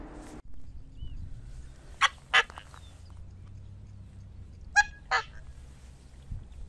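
Coscoroba Swan giving loud, nasal, trumpeting honks in two quick pairs, each pair about a third of a second apart, over a low steady background rumble.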